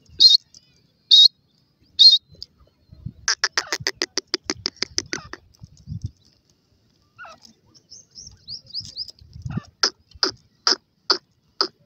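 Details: Black francolin chicks in a forest: three thin high peeps, then a rapid train of about ten harsh, buzzy pulses, scattered soft notes and low rustling, and finally a further run of sharp, evenly spaced calls.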